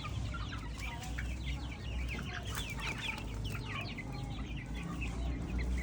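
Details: Organic free-range chicks in an open field give a dense chorus of short, high peeps, many overlapping and repeated rapidly, over a steady low rumble of wind or background noise.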